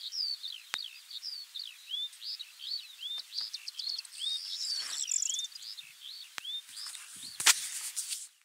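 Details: Eurasian skylark in spring 2020, recorded among steppe birds, pouring out an unbroken stream of high, quick, chirping and warbled notes, several per second, with a few sharp clicks near the end.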